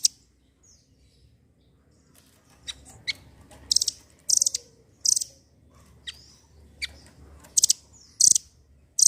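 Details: Velvet-fronted nuthatch, used as a lure to prompt silent birds to sing: sharp, very high chirps in short bursts, often doubled or tripled, separated by quiet gaps of about a second.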